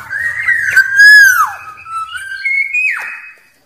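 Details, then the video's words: Fluty whistled phrases from a wild black-naped oriole, a song used to provoke rivals: a bright note that bends downward, then a level whistle and a higher note that drops sharply. The background is clean. "Suara Burung Kepodang liar Paling Ampuh Memanggil lawan"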